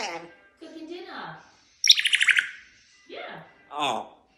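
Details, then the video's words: Pet African grey parrot talking indoors: mumbled speech-like phrases, then a rapid rattling burst of high chirps, followed by more short voiced utterances. "Talking African Grey Parrot"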